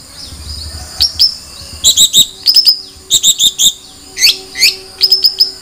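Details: Long-tailed shrike song: bursts of sharp, high chattering notes and short whistled chirps in uneven clusters, with pauses between phrases.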